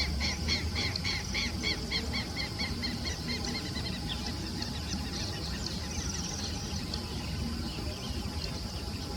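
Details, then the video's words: Plain-crested elaenia calling in a quick run of short, clipped notes, about four per second, that fade away after a few seconds. A constant low rumble and hiss continue underneath. "Guaracava de topete uniforme"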